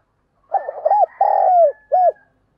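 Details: Morning call of a spotted dove kept as a lure for wild birds: one phrase of low hooting coos, a quick rolled stutter, then a long sustained coo and a final short hooked note, clear with no background noise.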